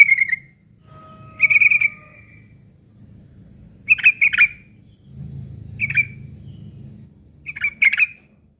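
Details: Yellow-vented bulbul giving rough chattering, material for tutoring long-tailed shrikes: short bright chirps and a brief scratchy burst spaced by pauses, with a steady low hum underneath.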